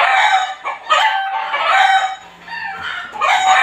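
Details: A neighbour's backyard chickens, heard every day and even at night: loud, harsh rooster crowing in bright drawn-out phrases, with a short pause before another crow begins.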